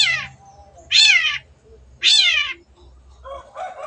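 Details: Long-tailed shrike, an actively singing bird, gives two loud, harsh, downward-sweeping notes about a second apart, each broad and raspy, with a fainter scratchy call near the end and a low hum underneath.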